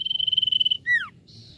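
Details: Common iora, lively and used to stimulate other birds' singing: a pulsing, drawn-out trilled whistle, then two smooth descending slurred notes and a brief higher tone.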